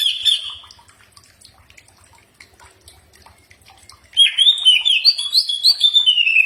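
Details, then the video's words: Common iora (cak ijo) in a recording used to train birds to answer: one high whistled note, a long near-silent gap with faint low ticking, then a lively string of rising and falling whistled phrases. "Mastran burung cak ijo pasti nyaut"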